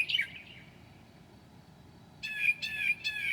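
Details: Mockingbird singing at 2 a.m. in July: a brief slurred note, a pause, then three loud harsh, raspy repeated notes.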